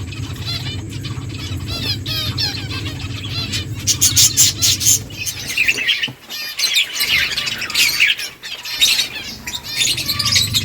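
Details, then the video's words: Finches chirping while eating: dense bursts of high, rapid twittering chirps overlapping in quick succession, with a short quieter stretch midway, over a steady low hum. "Beautiful finches eating food birds chirping sounds"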